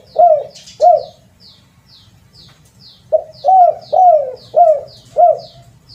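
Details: Spotted dove call used as a lure: two low, slurred, descending coos, a pause, then five more in a quick run. Thin, high, down-slurred chirps from another bird repeat throughout.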